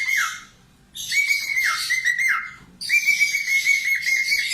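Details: Budgerigar singing for cockatiel training: chattering, buzzy warble over steady whistled notes with brief downward slurs, in two phrases separated by a short pause.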